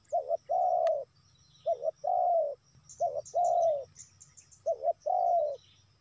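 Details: Lure call of a spotted dove meant to attract wild doves, given four times: a quick double coo leading into a long slurred coo, with soft high twitters behind.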